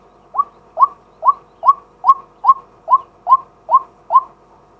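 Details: During the day, a male White-breasted waterhen used as a decoy gives ten clipped, hooked notes in a steady, even series about every half second, recorded live on a fixed camera.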